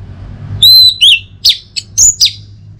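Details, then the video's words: Orange-headed thrush (Geokichla citrina), used as lure audio to get a kept bird singing, best in the morning: a sustained clear whistle, then a rapid run of five sharp, slurred whistled notes, high and bright, with faint low hum beneath. "ANIS MERAH NGEPLONG Gacor"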